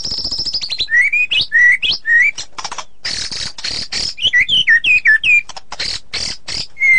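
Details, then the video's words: White-rumped shama song opening with a long high trill, followed by rising whistles, harsh buzzy bursts and fast chattering notes in a lively, varied sequence. "Murai ngeplong dan ngeroll super rapet"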